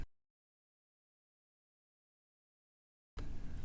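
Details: Near silence with a brief click at the start and a burst of broadband noise in the final half second.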